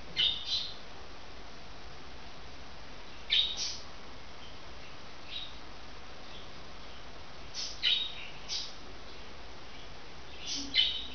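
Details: Budgerigar (Melopsittacus undulatus) call: short, scratchy chirps in scattered bursts over a steady background hiss.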